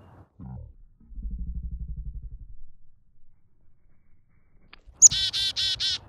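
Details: Chickadee that screams a lot, outdoors in some wind, gives a thin high note, then three loud, harsh, buzzy notes in quick succession, while a person softly coaxes it to come closer just beforehand.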